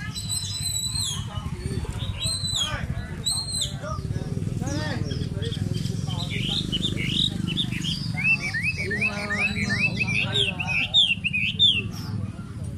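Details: A pair of Chinese hwamei sing loud, varied whistled phrases, rising and falling in quick succession, drawing a crowd at a market, over a steady murmur of people talking.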